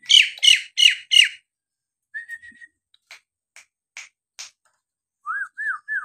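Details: Nias hill myna song for provoking reluctant birds to sing: four quick harsh falling notes, a flat whistle, spaced ticking clicks, then three short arched whistles.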